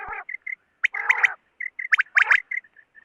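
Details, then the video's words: A female quail calling, used as a night hunting lure: short, harsh nasal notes mixed with brief high chips, in uneven bursts about once a second. "Batair Ki Awaz Female kirk Maadi Batair Ki Awaz Female Batair Calling"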